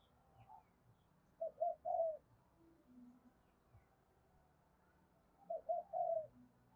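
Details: Spotted dove cooing to stimulate wild doves to coo: two soft, low cooing phrases, each two short notes and a longer drawn-out coo, separated by about four seconds of quiet background with faint murmurs.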